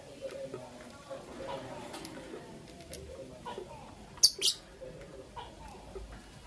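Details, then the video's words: Morning chirping from two green opaline lovebirds. Faint low twittering and soft clicks at first, then two loud, piercing high chirps in quick succession, followed by quieter scattered notes. "Lovebird Chirping Sounds"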